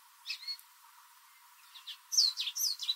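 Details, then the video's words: An American goldfinch sings loudly in a backyard, likely a spring mating song: a high, varied twitter of quick slurred and sweeping notes, a brief burst early, then a busier run of short, loud chirps. "American Goldfinch Singing Loudly"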